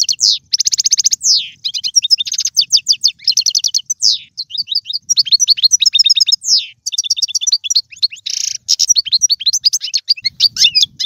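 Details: European goldfinch song played to stimulate a pet goldfinch to sing: fast, dense twittering at high pitch, with rapid trills, buzzy rattles and liquid chirps running almost continuously with short breaks.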